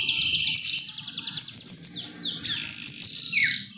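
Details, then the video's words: Song of a white-rumped shama used to trigger singing in other shamas: high clear whistles with quick downward-swooping notes, in phrases separated by brief pauses over faint low background rumble. "pancingan murai batu AGAR BUNYI jitu untuk JADIKAN murai batu GACOR EMOSI"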